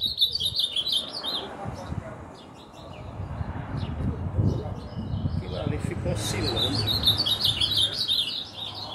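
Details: Ultramarine grosbeak singing in a frenzied way: bursts of quick, high chirped notes come in uneven runs through the clip over a low rumbling, rustling background with a faint voice.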